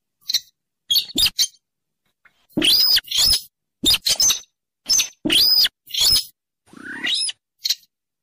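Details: Rail lure for trapping, bird known as sintaran sawah, weris or mandar dengkur, a Rallidae of marshy river and lake margins: clicks then a run of piercing squeals with arched whistles, ending in a rising squeaky note.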